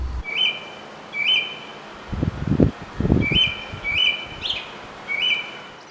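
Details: Bird; song; marking territory and attracting mates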